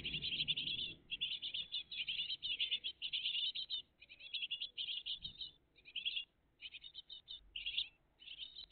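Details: Great tit family at the nest, early morning, 20 June 2023: loud, nearly nonstop high, harsh chirping in long runs, broken by short pauses, with little else heard.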